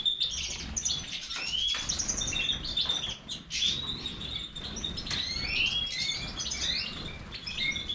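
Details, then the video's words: Goldfinch of the Major type singing sweeping whistled notes, rapid chirps and brief trills, broken by a few short pauses and clicks, over a soft low rumble. "Stieglitz Major -Goldfinch طائر الحسون الرائد"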